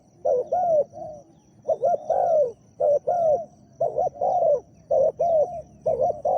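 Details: Spotted dove used as a decoy to lure a wild one, with a deep, big voice, delivers a run of low hooting coos, paired short notes leading into longer falling ones, repeated without pause.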